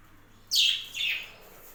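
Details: A budgerigar on a home budgie farm gives a single harsh, descending double chirp, two rasping notes in quick succession over a faint steady hum.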